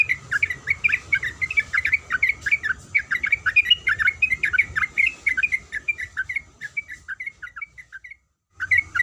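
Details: A female sooty-headed bulbul calls for the male with a fast stream of bubbly, chirped notes that gradually thin out, then break off into brief silence before the notes resume.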